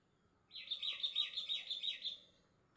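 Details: Sooty-headed bulbul singing very loudly: a bright, quick trill of about a dozen high, rolling chirps lasting under two seconds, against a quiet background.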